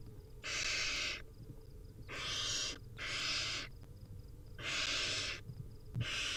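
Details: Barn owl nestlings in the wild beg at feeding time with repeated coarse hissing screeches, some overlapping closely, over quiet background tapping.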